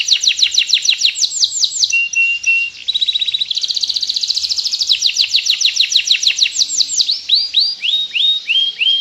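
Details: Canary delivering a long, continuous rolling song meant to tutor other birds or provoke lazy ones into singing: loud repeated sweeping chirps, a steady whistled note, then a fast rattling roll and more descending slurred phrases.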